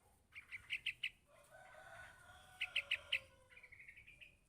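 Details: Yellow-vented bulbul chick calling its parent: two bursts of five sharp, high chirps in quick succession, separated by a softer, drawn-out tonal sound and ending in a thin rising twitter.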